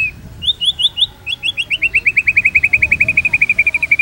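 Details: Rapid pancingan song of a white-rumped shama used for murai training: a steady rattling string of about thirty short bright notes, several per second, holding an even high pitch and growing louder.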